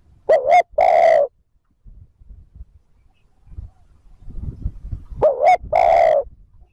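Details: Spotted dove luring coo: two phrases several seconds apart, each a quick double-humped note then a long full coo, with soft rustling and low noise between them.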